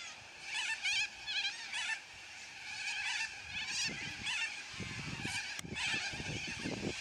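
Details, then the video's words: Yellow-crested cockatoos, a noisy flock giving loud squawks: harsh, repeated screeches from several birds in quick bursts, followed by low rumbling thumps in the second half. "Noisy Yellow Crested Cockatoos Take Over!"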